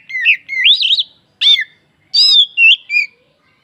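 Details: Song of an oriental magpie-robin, meant to stir other birds into singing: clear, rich whistled phrases that swoop upward, a sharp harsh note, then bright whistles falling away, in separated bursts against silence.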